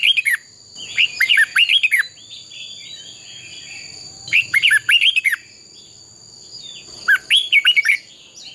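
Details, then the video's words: Red-whiskered bulbul fighting song for training: three phrases of quick slurred, warbled notes spaced about three seconds apart, with a constant high-pitched whine in the background. "Chào mào hót đấu"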